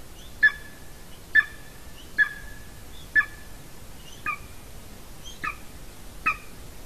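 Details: Latvian golden eagle female on the nest, 30 January 2019 at about 14:24, just before she lands on the camera. Seven sharp, clipped yelps come roughly once a second. The later ones are a little softer and higher.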